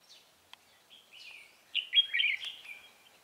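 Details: Red-whiskered bulbul used as a decoy to lure rival wild birds into a trap, recorded 28 October 2018: a short run of bright warbled notes, building to a louder rich fluty phrase midway, with a sharp click.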